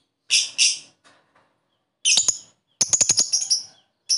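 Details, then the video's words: Lovebird sounds as therapy for lazy lovebirds that rarely sing; a harsh double chirp, then a burst and a rapid rattling series of sharp high chirps. "Suara burung Lovebird,terapi Lovebird lesu males bunyi cepat respon"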